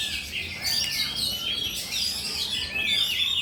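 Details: Oriental magpie-robin singing in a songbird contest at Pulau Betung, Jambi, Indonesia, on 19 November 2023, where it took runner-up; rapid, varied whistled and chirping phrases, high and unbroken, with other birds singing underneath.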